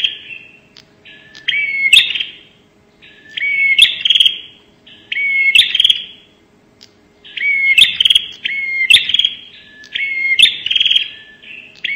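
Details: 'Nembak' call of a Bar-winged prinia, used as a lure sound: a chain of pulsed buzzy phrases, each with an upswept whistle and sharp cracking snaps, repeating in roughly two-second bursts.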